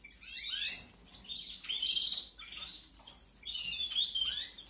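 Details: Begging of young canaries being fed, 2021 aviary breeding season: three bursts of shrill, buzzy, high squeaking, each about a second long, separated by quieter gaps.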